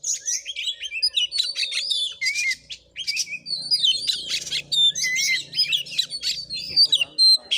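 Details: Oriental magpie-robin in fighting song at a village house in Muko Muko, Bengkulu, Indonesia; rich rapid mix of slurred whistles, buzzy rasps and chips, nearly nonstop, with a faint low hum behind.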